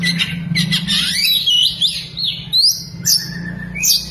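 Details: Oriental magpie-robin fanning its tail while singing loudly, its song filled with lovebird imitations: varied high whistles, slurred rising and falling notes and sharp chirps in quick succession, over a steady low hum.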